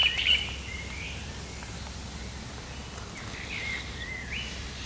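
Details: Great reed warbler's sharp, chattering song on 1 July 2020: a loud, harsh rattle of notes opening the recording, then quieter scratchy, rising phrases later, against a constant low rumble.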